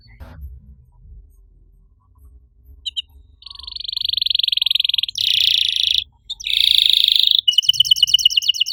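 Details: Canary master song meant to get other silent canaries singing: quiet at first, then from about three seconds long buzzy high trills, each held one to two seconds with brief gaps, ending in a quick chattering roll.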